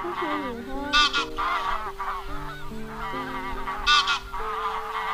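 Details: Wild goose calls gathering the flock for net trapping: busy wavering honks with two loud harsh bursts about three seconds apart, accompanied by sustained synthetic music tones.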